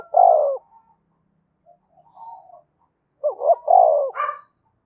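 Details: Spotted dove of Dong Nai, Vietnam, cooing to excite decoy birds: a drawn-out hoarse coo, quiet murmurs, then a full stuttering coo phrase ending in a higher harsh note.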